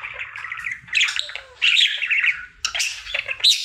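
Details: Pet male budgerigar singing happily as part of a daily routine: soft buzzy murmuring warble that breaks into louder squeaky chirps and a bright high whistle near the end, over faint low background hum.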